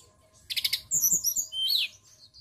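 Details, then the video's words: White-browed shortwing sings a quick, jumbled phrase: a burst of buzzy chatter, then high, thin whistles sweeping up and down. "PANCINGAN TLEDEKAN GUNUNG GACOR"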